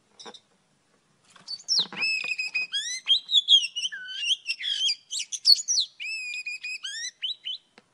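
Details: Morning song of an old wild Oriental magpie-robin, a recording meant as a trapping lure: after a quiet start, rich clear whistles rise and fall in quick varied phrases, some sliding downward, with brief pauses between.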